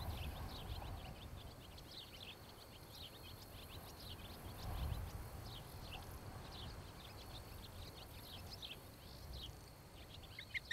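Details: Ospreys at a nest beside a field in Charlo, Montana, captured by a nest cam in late July 2018. A long series of quick, high, falling chirps runs almost continuously above a deep, constant background roar.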